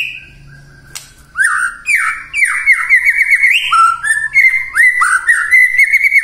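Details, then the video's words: White-rumped shama song for early morning, meant to provoke silent shamas into answering: loud, varied whistled phrases, rising and falling slurs and quick rolling notes delivered continuously with bright high overtones, starting after a faint hum. "Pancingan PAGI-PAGI AGAR MURAI GACOR❗ murai diam pasti ikut NYAUT EMOSI❗❗"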